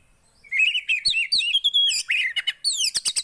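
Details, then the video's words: Javan white-eye singing a fast, high, chattering warble of slurred whistles and clipped chips, starting after a short silence and running without a break to the end. Used as playback to prompt a quiet bird to sing. "Ampuh Buat burung poci yg Macet"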